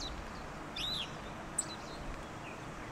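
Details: Yellow bunting, Pingtung County, Taiwan, 16 November 2019, uttering a single clear, high, arched whistle-like call, followed by a brief click and faint chips against steady background hiss.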